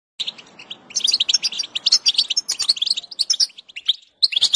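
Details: European goldfinch song used to stimulate a goldfinch to sing: rapid, tinkling twittering of short high notes and trills in dense bursts, with a brief pause near the end before the twitter resumes.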